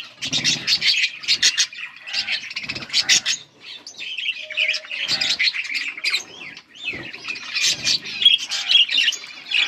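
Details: Budgies singing and chirping on August 19, 2024: bursts of scratchy chatter alternate with looping, warbled whistles, a few short quiet gaps separating the phrases.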